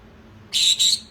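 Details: A pet pineapple green-cheeked conure, which has newly learned "baby" and "sorry", utters a quick two-syllable mimicked word in a thin, scratchy, high-pitched voice in a quiet room.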